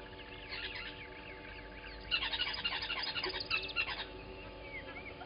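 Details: Little grebes at Gowrie dam waterhole, Djuma Game Reserve, Sabi Sand Wildtuin, South Africa, 10/08/20; a dense, rapid, high trill bursts for about two seconds over a steady background chorus of repeated pulsed calls and looping whistles.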